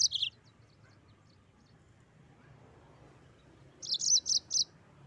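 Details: Mozambique canary singing in the rolling 'ngeroll' style: a brief high sweeping note at the start, then after a long quiet gap a short burst of four or five bright, rapid high chirps near the end.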